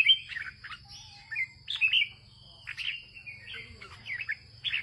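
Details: A farmer's red-whiskered bulbul sings northern-style: liquid whistled phrases, each a quick rising-and-falling slur, spaced irregularly about two seconds apart, with a constant thin high tone and low hum in the background.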